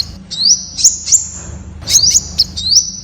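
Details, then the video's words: Temminck's sunbird, also called Malaysian red sunbird, singing: high thin rising notes that hook upward and then hold as a level whistle, given in a loose series with sharp vertical clicks between them. "Tiếng chim Hút mật Sting (Hút mật đỏ Malaysia) ✅Temminck's Sunbird (Aethopyga temminckii)"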